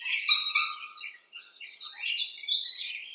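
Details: Rainbow lorikeets recorded in a backyard, giving rasping, high screeches in two dense bursts separated by a brief pause, with no other sounds.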